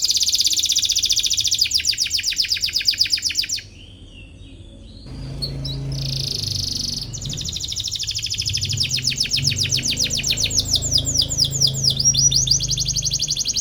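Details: Canary in full chirping song, said to be searching for a rival and used to train young canaries to sing; rapid trilled high notes in fast repeated bursts, a brief quiet pause midway, then renewed trilling over a low hum.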